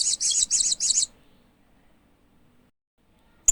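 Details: A hanging parrot (Loriculus) gives four quick, shrill, high-pitched chirps in about a second, then falls silent apart from a faint background hum.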